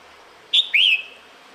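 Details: A female red-whiskered bulbul in breeding season calls for the male with a sharp short whistle followed at once by a longer rising-then-falling slurred whistle; little else is audible.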